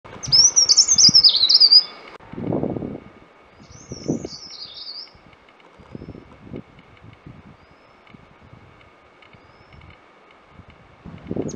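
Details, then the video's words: Scaly-breasted cupwing, a tiny almost tailless bird of damp shady forest undergrowth, giving a loud, high, wavering whistled phrase twice, with low rustling and handling noise throughout. "Scaly-breasted Cupwing: A Tiny Bird with a Powerful Voice"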